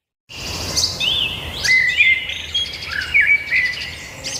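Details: After a brief silence, birds burst into song with sharp high chirps, quick whistled slurs and short trills, several voices overlapping in a lively chorus.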